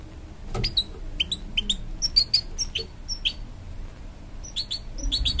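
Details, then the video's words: Hybrid goldfinch, from a canary and goldfinch cross, encouraging young chicks with scattered, high, sharp chirps and short upslurred notes in loose bursts, with a low hum beneath. "A Hybrid Goldfinch Sings To Encourage Young Chicks"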